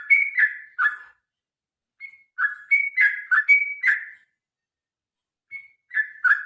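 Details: Fighting-style song of a sooty-headed bulbul, used to get birds singing: short gurgling whistled notes that slide downward, delivered in clusters with long silent gaps between them.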